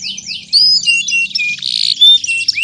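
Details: Canary song meant to get silent canaries singing again: loud, varied high phrases mixing sweeping whistles, harsh buzzy bursts and short squeaky notes, with brief gaps between them.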